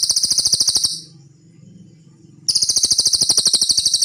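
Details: Cililin singing on a songbird training recording (masteran): fast, dry, high-pitched pulsed trills in two long bursts, separated by a short gap filled with low background hum.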